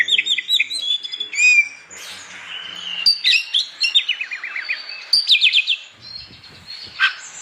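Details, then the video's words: Morning song of an Oriental magpie-robin, sung to stir rival magpie-robins into singing: a rich medley of sharp chirps, clear whistles and quick descending trills, phrases tumbling one into the next with little pause. "Burung kacer gacor pagi hari, bikin emosi kacer lain supaya ikut bunyi.."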